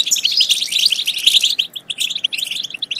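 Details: Stimulation song of the European goldfinch for prompting singing and mating: a thick run of bright warbling twitters, then thinner, evenly spaced chirps toward the end.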